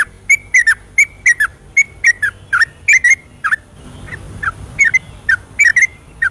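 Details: Yellow-vented bulbul in energetic night song used to encourage lazy birds to sing: a run of loud bubbly whistled doublets, a softer, more distant-sounding passage, then strong paired notes again.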